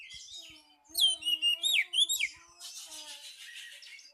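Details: Oriental magpie-robin lure song used to call a rival: a string of clear, slurred whistles that swoop up and down, followed by a soft buzzy, scratchy rattle.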